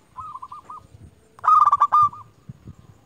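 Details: Local zebra dove used as a lure bird, said to call rivals: a soft series of rhythmic cooing notes, then a louder, rolling, stuttered coo phrase, with faint low thumps in the background.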